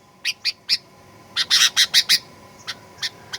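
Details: Sooty-headed bulbul singing fighter-style lure song used to provoke aggressive singing: a few spaced rasping chirps, then a quick burst of five loud harsh notes, trailing off into softer chirps.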